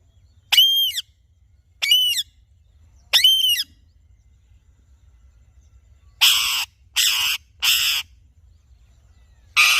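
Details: An Alexandrine parakeet gives three arched, harmonic squawks about a second apart, then a run of four harsher, noisy screeches.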